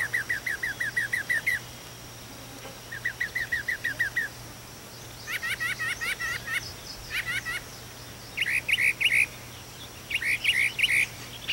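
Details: At daybreak a mockingbird perched on a chimney calls out to its friends with bursts of quick repeated chirps, six to ten per phrase. The phrases are separated by short pauses, and later phrases change to buzzier, higher notes.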